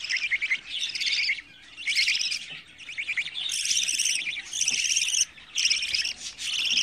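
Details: Budgerigar chicks aged 24 days produce loud, raspy, buzzy bursts, each lasting about a second, separated by short silent gaps, repeated in an insistent series.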